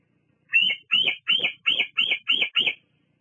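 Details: Female bald eagle visiting her Fraser Point nest on the evening of 17 July 2022 to preen and rest, recorded by a nest cam; seven high, thin piping notes in a fast, even series, roughly three per second.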